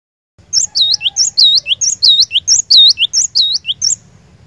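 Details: Cinereous tit song played to lure a caged bird into continuous singing: loud, high, sharp two-note phrases, a bright swooping note then a short lower one, repeated rapidly and evenly about a dozen times, with faint low rumble beneath.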